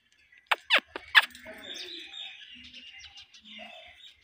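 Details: Indian ringneck parakeet natural calls. Three loud, sharp shrieks sweep downward in quick succession, followed by softer chattering and faint low murmurs.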